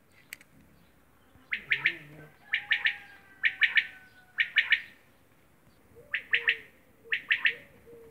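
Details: Quail in Romania giving quick three-note phrases, liquid and clipped, repeated about once a second in short runs. Faint whistles of other birds in the background.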